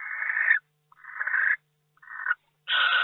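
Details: Barn owl in a nest box in May; four breathy, hoarse hissing screeches, each about half a second long, in quick succession with brief gaps.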